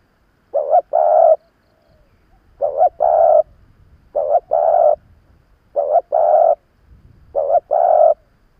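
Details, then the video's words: Spotted dove, a seasoned decoy bird cooing to provoke and lure wild rivals: five deep two-part coos, a short note then a longer rolling one, repeated roughly every one and a half seconds, with quiet pauses between. "Tiếng chim cu gáy mồi già kích bổi"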